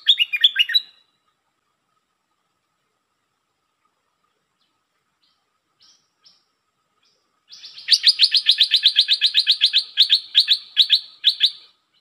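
Red-whiskered bulbul: a brief burst of bright chirping notes, a quiet pause, then a long run of quick, lively, bubbling phrases at about two or three a second.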